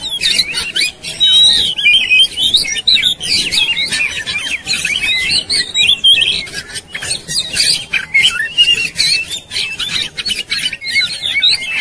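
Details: Oriental magpie-robin in aggressive, fighting display, tail spread: an unbroken, busy medley of fast whistles, trills and scratchy rasps, loud throughout with brief dips.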